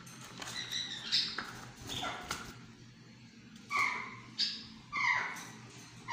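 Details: Young Kandahari myna chicks give harsh, rasping squawks in short bursts, about seven over six seconds, some rising and some falling, over a soft background hum; finding: Myna.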